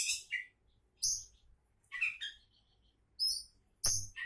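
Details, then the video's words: Kacer (Oriental magpie-robin) hailed as a potential champion, uttering short separate notes: a harsh burst, a clear high whistle, a quick chirped figure, then another pure whistle, roughly one per second. "Kacer Calon Juara"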